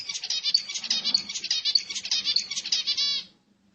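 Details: A zebra finch sings to stimulate other birds, with quick buzzy, nasal notes pouring out steadily for about three seconds, then stopping before a new note begins.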